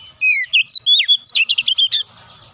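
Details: Oriental magpie-robin, a kept bird, delivering one dense phrase: rising and falling whistled notes leading into a fast run of sharp, clipped chirps, about a dozen notes in under two seconds.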